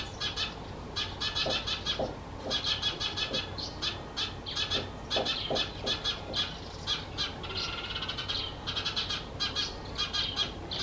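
Eurasian Tree Sparrows chatter in a busy flock, with bright, harsh chirps in rapid bursts that overlap almost continuously over a low background rumble.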